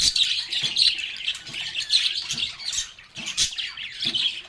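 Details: Lovebirds singing, playing and talking together: dense, continuous high chirping and squawky chatter in overlapping bursts, with short gaps and occasional low knocks.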